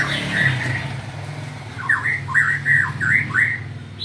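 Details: White-rumped shama song, a run of clear whistled phrases in the second half, over a steady low engine-like rumble.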